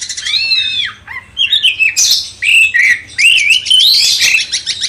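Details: Sooty-headed bulbul song used as master training to stir a magpie-robin; clear, bright whistled phrases, an opening arched note then quick slurred couplets separated by short pauses, fairly clean background.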